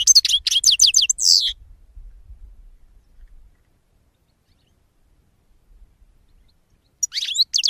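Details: European goldfinch singing, from a 2016 recording: a quick run of high, tinkling twitters and buzzy trilled notes for about a second and a half, then several seconds of near silence before the song starts again.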